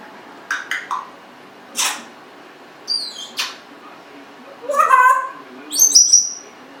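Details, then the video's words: Congo African grey parrot, a 1.5-year-old pet, making clicks, short noisy bursts and a high thin whistle at the end, a varied string of indoor vocal sounds. "Abaddon talking, burping, lots of vocalizing."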